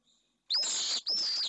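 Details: Female pallid swift arriving on foot at a nest in Jerez de la Frontera, Spain, watched by a nest camera; two harsh, buzzy, high screams, each about half a second, with a brief break between.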